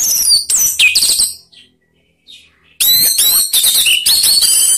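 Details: Orange-headed thrush calling to get other birds to sing, with dense, loud strings of high whistled and rasping notes that sweep up and down, broken by one brief gap.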